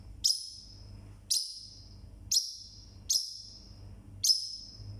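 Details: A single pet Forpus parrotlet calling very loudly: sharp, piercing high notes, each a sudden burst fading quickly, repeated about once a second, over a low steady background hum.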